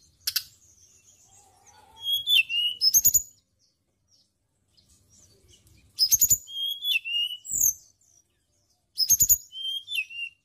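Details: Lure recording of a white-browed shortwing for songbird training: three brief phrases of high, thin whistles with quick descending slurs, spaced about three seconds apart, with soft clicks between them.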